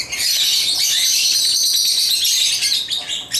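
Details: Pet African lovebirds at play with toys, chirping in a continuous, fast, high-pitched chatter of rapid overlapping notes with scarcely any break.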